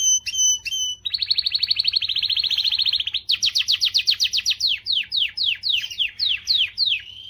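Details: Canary singing to motivate females: ringing whistled notes, then a rapid rolling trill, followed by a series of loud, sweeping, downslurred notes repeated about three times a second.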